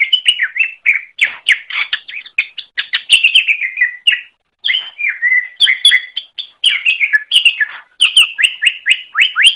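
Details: Greater green leafbird song used as a master recording for training other birds: a rapid, continuous chatter of varied whistled and chirping notes, sliding and trilling phrases tumbling one after another with a brief pause midway.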